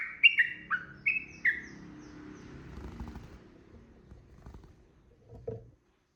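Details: Sooty-headed bulbul calling to provoke a rival: four clear whistled notes, each sliding downward, given in quick succession over about two seconds, followed by quiet rustling and a soft thud.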